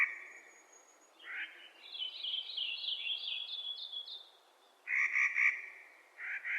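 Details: Several harsh, grating calls of a Clark's nutcracker in spring, some doubled, with a lively high twittering of another bird in between.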